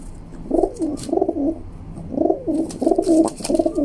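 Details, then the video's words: Young female rock pigeon kept indoors, pecking and fighting at a hand while cooing: low warbling coos in bursts, two phrases about two seconds apart, with faint clicks and handling noise. "Young Female Pigeon Fighting Pecking and Cooing"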